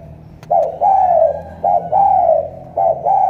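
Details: Spotted dove from Cà Mau, Vietnam, with a strong thổ cọp-style voice: three loud coo phrases, each a brief note and a long arched note, in quiet surroundings.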